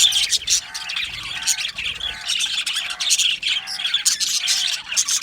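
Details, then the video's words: Happy budgerigars in an aviary chatter densely in high scratchy tweets, while lower nasal, harmonic squawks repeat about once a second beneath the flock's twittering. "Happy Budgies Sounds | Budgies Chirping Sounds | happy Budgie sounds for lonely Budgie birds"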